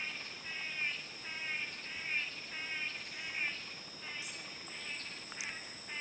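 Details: Two male blue-backed manakins dancing in a joint display before a female, giving a fast series of nasal, buzzy calls in regular bursts, then a few sharp snaps, with a constant shrill insect drone throughout.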